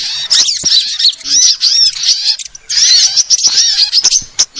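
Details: Sunbird calls of several kinds used as bird lure: two bursts of thin, high twittering and slurred whistles separated by a quieter stretch.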